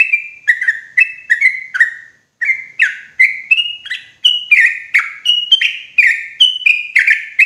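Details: Sooty-headed bulbul lure, loud and clean, meant to draw wild bulbuls in forest for trapping: repeated two-part whistled notes, a higher note slurring down into a lower one, climbing gradually through the series.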